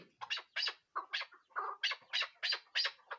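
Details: Chukar partridge call: loud, harsh chak notes in quick pairs and triplets, bright and buzzy, repeated about three times a second after a brief pause.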